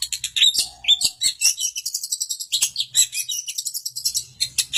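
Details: ['Long-tailed shrike, Samarinda, in busy song: dense high twittering and chirps with thin whistles, a rapid continuous chatter, with faint low hum beneath.']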